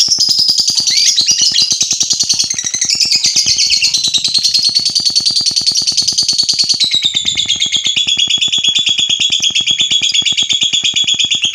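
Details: Lovebird singing to provoke other lovebirds: one long, unbroken, high, chattering trill that slowly drifts lower in pitch, with a steady, rapid ticking pulse underneath throughout.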